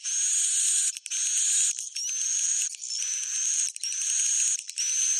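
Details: Swiftlet roosting call: long buzzy, hissing bursts of high chatter lasting about a second each, broken by short gaps, with a thin steady whistle running through them.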